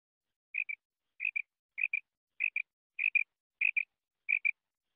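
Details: Female quail, recorded in 2023, calling in a steady series of seven high, bright double notes, each a quick two-part chip, repeated roughly every 0.6 seconds against a silent background.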